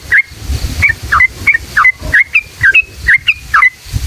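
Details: Yellow-vented bulbul singing a long ropel phrase to goad other bulbuls: clear, bright, slurred notes repeated about three times a second, each dropping then rising.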